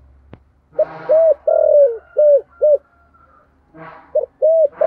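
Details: Spotted dove in the 'giọng thổ' calling style, cooing to lure wild doves: a phrase of six loud, low, hooded coo notes, one drawn out longer, then a second phrase starting after a pause, with a faint hum underneath.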